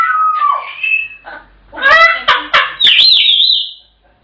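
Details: Chattering African grey parrots: a falling whistle, then a quick burst of harsh, speech-like syllables ending in a bright, wavering whistle.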